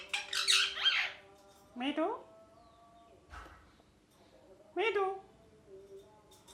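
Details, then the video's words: Indoor pet ringneck parrot opening with a loud harsh squawk, then rising nasal chirps spaced a second or two apart, fading to quiet soft calls at the end. "Parrot Speaking Clearly (Mithu Mithu) | Parrot Chirping Sounds | Natural Parrot Sounds"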